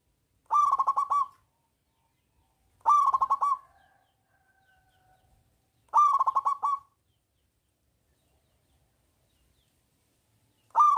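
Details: Zebra dove of the local type, loud-voiced, singing to draw silent doves into song: brief trilled coo phrases repeated roughly every two and a half to three seconds, with quiet gaps between.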